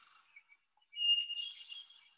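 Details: Hermit thrush song on Mount Desert Island, Maine, in spring: a long, clear held whistle rising into a higher, ethereal, fluty flourish, with faint high buzzy sounds just before, possibly an overlapping swamp sparrow trill.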